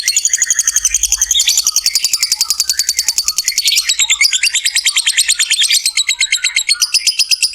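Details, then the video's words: Lovebird ngekek song, a prolonged trill to get other lovebirds singing: an unbroken, very rapid metallic chatter of evenly spaced pulses running for more than seven seconds. "SUARA BURUNG LOVEBIRD NGEKEK PANJANG"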